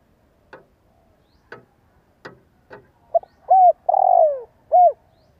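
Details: Spotted dove kept as a decoy, calling to encourage other doves to coo. Four dry tapping clicks come first, then one phrase: a short note, a rising note, a long falling coo and a final brief coo.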